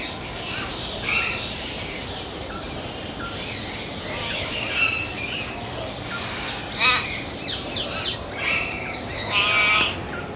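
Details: Hill myna birds calling: a busy stretch of overlapping harsh, buzzy squawks and short chattering notes, with two louder, rasping broadband calls near the end against steady background hiss.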